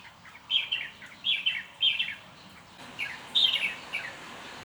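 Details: Bird calls in bursts of two or three bright, high chirps, each burst about half a second apart, pausing before a final louder group.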